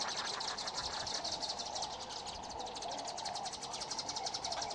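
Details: Red-billed wood hoopoes feeding their chicks: a rapid, dense run of high, scratchy pulses repeated about three times a second, steady throughout, with a faint hum of background noise beneath.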